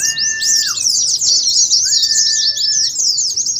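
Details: Ngeriwik-style Oriental white-eye song, played as a training lure and contest simulation. A continuous, busy, very high chatter of quick chirps runs over two long steady whistles, one at the start and one midway.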